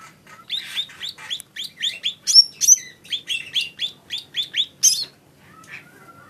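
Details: Lesser green leafbird song: a rapid run of bright, high, chirping and slurred notes, about three per second, with some sharper whistled accents. It fades to a soft whistle near the end.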